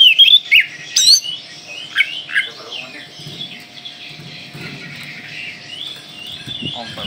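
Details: Kalimantan Oriental magpie-robin in full-burst song: a few loud sharp whistles and chirps open the passage, then softer rambling warbled notes over a faint low hum.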